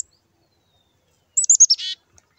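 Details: Female black-capped chickadee begging like a fledgling before nesting season, fed by the male: four quick high notes stepping downward, then one raspy, buzzy note, all against near silence.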